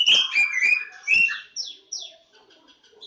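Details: Kacer Jawa (Oriental magpie-robin) opens with loud chirps and whistles, then gives two thin descending whistles before fading into faint, soft notes.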